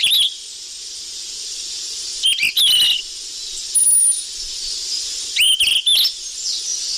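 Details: Golden flycatcher calling for luring: a brief chirp at the start, then three clustered bursts of rising whistled notes with clicks, against continuous hiss.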